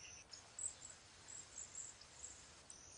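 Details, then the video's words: A flock of Cedar Waxwings (Bombycilla cedrorum) in a backyard gives very high, thin, hissing trills in short bursts every half second or so, several birds overlapping, over a soft steady background hiss. "Cedar waxwing call / song"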